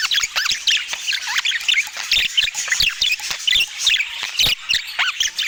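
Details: Budgerigars chirping as they eat, lively curved warbled notes and chirps in short bouts, broken by repeated sharp clicks like seeds being cracked.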